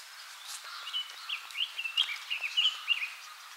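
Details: Red-billed leiothrix, an invasive species in Japan, recorded about 20 years ago at Akigase Park, Saitama, sings a quick, warbling run of bright whistled notes, rising and falling, about three per second, over a faint background hiss.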